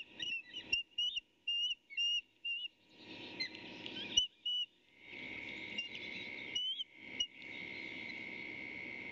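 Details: Osprey chick and mother at a Skidaway Audubon nest, fighting over a fish in May. A few short whistled chirps in separate bursts, followed by quieter scattered calls against a constant hum and rustling.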